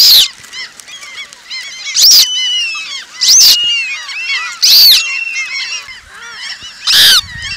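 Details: Asian-population Eurasian coots massed together, a continuous babble of brief nasal calls punctuated by five loud, explosive shrieks spaced about one to two seconds apart.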